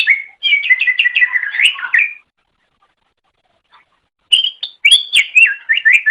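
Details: Greater green leafbird singing in a tutor recording for pet songbirds: a fast run of slurred, warbling whistles, a pause of about two seconds, then another bright chattering phrase.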